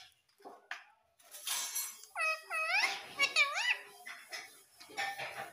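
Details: Young pet rose-ringed parakeet making a short burst of squeaky, arched calls among rustling and background noise, with about four harmonic squeals clustered mid-clip.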